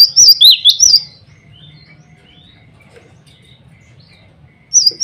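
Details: Male cinereous tit whistling to rivals and females: a short phrase of three bright, high wavering notes opens, then near silence, then the same whistled song starts again at the end.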